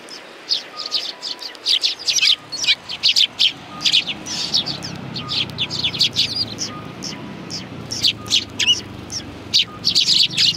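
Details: Sparrows sitting on a bench at a Tenmangu shrine, 21 January 2020, give dense, lively chirping, bursts of high tweets coming in quick runs, with a quiet repeating beep-like tone far behind.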